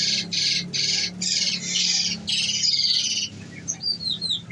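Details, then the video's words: Caged olive-backed sunbird fed on nectar delivering dense 'nembak' bursts: fast buzzy high trills in repeated blocks of about half a second, followed by a few thin sliding chirps. "bunyi nembak nembak"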